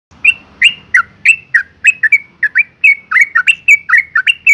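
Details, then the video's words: Female yellow-vented bulbul in breeding condition calling to males: a rapid series of short, sharp chirps around three per second, each note bending down then up, steady and loud with a quiet background. "suara panggilan burung trucuk betina BIRAHI GACOR ROPEL panggil jantan"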